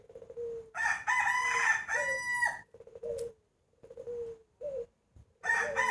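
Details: Rooster crowing early in the morning just before the 2020 New Year: a loud harsh cock-a-doodle-doo with layered ringing overtones, amid softer clucking notes and another crow starting at the end.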